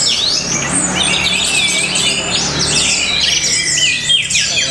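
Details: Orange-headed thrush from Tabanan, Bali, singing in the matrix style noted for its rhythm and power: a dense run of high, varied chirps, sweeping whistles and squawky notes with no pauses, over a low steady hum.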